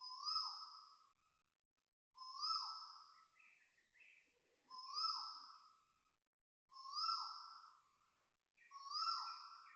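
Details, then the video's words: Asian koels at 6:13am on 13 November 2025 in Toa Payoh Lorong 8, Singapore, give loud, rising, vibrato calls about every two seconds, with faint chipping notes between them. "Loud Vibrato Koel birds and fake chipping noises"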